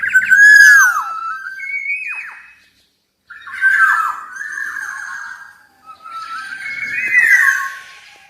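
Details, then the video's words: Black-naped oriole song made of clear, rich whistles with falling slurs, delivered in three separate phrases split by brief silences. Some notes sound slightly harsh, and there is no other clear sound. "Kicauan Burung Kepodang Emas"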